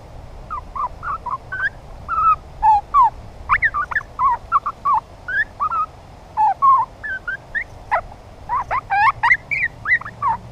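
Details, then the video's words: Juvenile grey butcherbird singing at length: a rambling run of short warbled and slurred notes, some rising and some falling, strung together with barely a pause for ten seconds; faint low rumble beneath. "Juvenile Grey Butcherbird singing his heart out"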